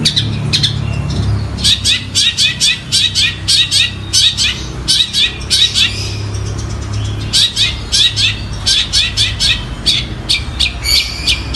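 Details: Energetic Long-tailed shrike song imitating Gereja Tarung and Tengkek Buto calls, long strings of rapid, harsh, high chatter notes broken by brief pauses, with a low rumbling hum underneath.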